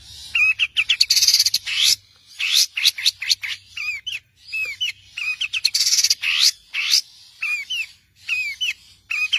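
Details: Long-tailed shrike master song for training songbirds: dense bursts of high rapid chips mixed with clear hooked whistles, delivered in phrases separated by short pauses, a faint low hum early on.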